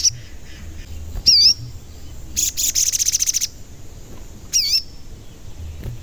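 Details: Sogon giving 'cuit cuit' calls, used as a lure to stir other sogon to sing and become agitated. Two clear looping high whistled chirps frame a fast, rattling pulsed trill lasting about a second, over soft background hum.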